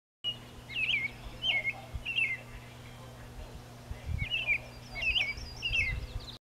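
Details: A lone bobolink on an island off the coast of Port Clyde, Maine gives short, bubbly, metallic notes that jump and tumble in pitch, in about six quick bursts, over a low steady hum.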